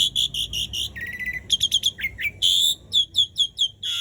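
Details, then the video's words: Asian pied starling singing in full, long-rolling voice, used to prompt silent starlings into song: rapid runs of high clear whistled notes, a buzzy low stretch, quick slurred chips and repeated bright piping notes in a lively, varied sequence. "Jalak Suren Gacor Dor Ngerol Panjang Ampuh Buat Pancingan Jalak Macet Agar Bunyi"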